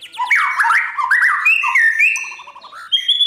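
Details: White-rumped shama practising its competition song: a fluid sequence of looping whistles and slurred notes, then a steady series of quick low pulses and a final high whistle.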